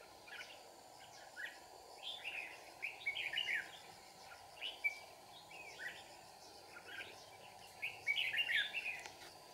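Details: Red-whiskered bulbul at a trap in Kim Bôi, Hòa Bình, Vietnam, singing a run of brisk chirpy phrases, some closely spaced, some separated by pauses, ending in a louder warbled flourish, with a steady hum beneath.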